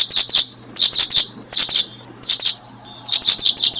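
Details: A brooding Paddyfield pipit gives bursts of thin, high chirps, about five clusters in under four seconds, each a quick run of sharp notes, over a faint low hum.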